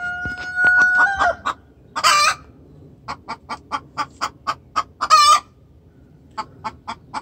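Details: Extremely vocal hen calling the rooster in distress: a steady whistled note breaks into loud harsh squawks, followed by a regular series of sharp clucks roughly every third of a second, with another squawk midway.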